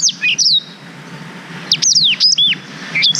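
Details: Black-throated canary song recorded on a GoPro Hero 5 for tutoring young canaries: bright, high whistled notes that slur sharply downward, given in short bursts separated by brief pauses, over a low steady hum.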